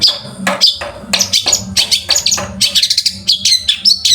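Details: Long-tailed shrike, training song for other birds: a jumble of sharp chirps, clicks and short whistled slurs at varied pitches, delivered quickly and irregularly over a low background hum.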